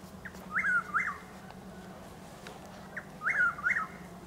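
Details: Dawn calling of a Chuck-will's-widow at Lake Placid, Florida, on 12 April: two clear whistled phrases about three seconds apart, each a faint opening note then two rising-falling slurred notes, with a steady low background hum.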